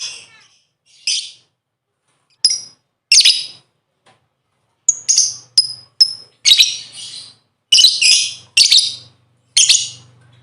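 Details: Lovebird lure sound intended to get birds singing: scattered harsh chirps and squeaky squawks at irregular intervals, becoming denser and louder in the second half.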